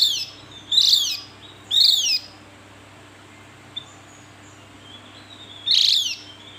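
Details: Javan grey-throated white-eye giving harsh, down-slurred high notes, three short bursts spaced about a second apart, then a long gap before a final burst; a steady low hum sits underneath.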